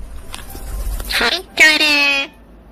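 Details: Pet parrot indoors speaking a drawn-out voice-like phrase with clear stacked harmonics, preceded by a breathy raspy syllable and soft clicks in a quiet room.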